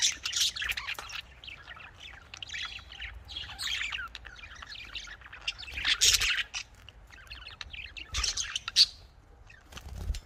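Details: Several budgerigars keep up long, rambling chatter: buzzy warbles, chirps and squeaks rising and falling in loudness, with a few sharper peaks near six and nine seconds.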